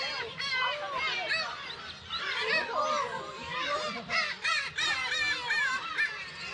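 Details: At the Kabushima breeding colony in Hachinohe, Japan, 10 June, Black-tailed gulls with chicks call incessantly: nearby birds give rising and falling cat-like mews and harsh kyow notes over a dense background chorus.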